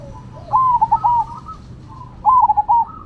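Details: Two phrases of zebra dove song, Cemani and Silver varieties competing, each a quick series of warbling coos, with faint cooing from the other bird between them.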